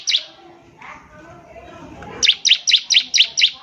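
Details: Bar-winged prinia in full song, offered as a master recording for teaching young birds to sing: one sharp bright note, a quiet gap with faint low murmuring, then a quick run of six high chirpy notes, about five per second.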